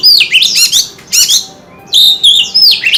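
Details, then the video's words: Tail-fanning white-rumped shama giving short loud phrases of sweeping whistles and rapid chirps, with a pause before a final ringing whistled passage. "Tiếng chim chòe than hót - Chòe than hót xèo đuôi cực hay"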